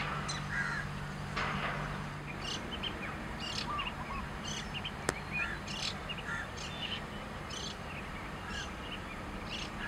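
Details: Wild long-tailed shrike perched on a branch in grassland, recorded from a car during a long singing bout: harsh, rasping bursts and scattered short chirps over a steady low engine-like rumble.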